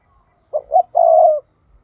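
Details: Spotted dove lure bird giving its 'thúc' call, used to draw in wild doves for trapping: two short, low hooting coos followed by one long, steady coo. The background is otherwise quiet.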